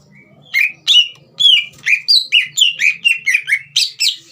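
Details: Green leafbird in steady song, intended to provoke a young bird: a quick sequence of around twelve bright whistled phrases, sliding downward, with a faint low hum in the background.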